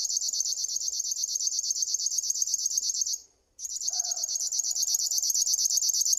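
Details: Sustained mechanical buzzing from a River warbler, fast even pulses like a sewing machine, with a short break after three seconds. A soft lower hooting note sounds faintly in the background.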